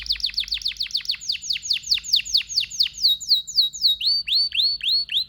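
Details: Domestic canary, the pet singing finch, male: a rapid tour of sharply descending whistles about four per second, slowing into a smooth held note and then rising upslurred whistles.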